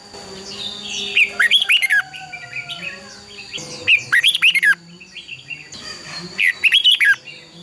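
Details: Red-whiskered bulbul in competitive song for voice training: three lively phrases of rapid, looping whistles spaced about two and a half seconds apart, with softer chirps and low tonal notes between them.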